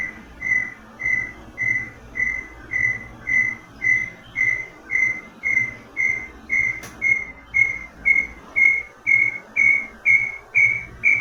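Brown Tinamou: a long, steady series of clear whistled notes, about two per second, creeping slightly higher in pitch as it goes, over a faint background hum.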